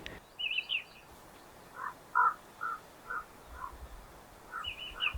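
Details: Common raven (Corvus corax) on a hill walk in Highland Perthshire, Scotland, gives a series of deep, honking croaks, about two a second. It is an assertive call announcing its presence. A skylark's high, thin warbling sounds at the start and end.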